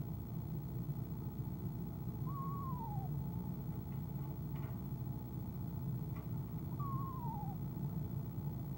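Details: Eastern screech owl female calling from a nest box in the evening of January 25, 2015, before leaving: two drawn-out, quavering notes falling in pitch about four seconds apart, with faint knocks between them and a constant low hum.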